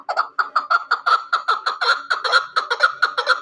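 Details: Hunting chukar partridge giving a steady run of clipped, chuckling notes, about six each second, each sharp note sliding downward, evenly paced throughout.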